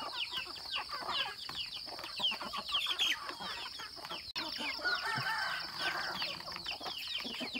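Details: Farmyard chickens at a rural home, with many quick high chirping peeps and soft clucks overlapping over steady background noise.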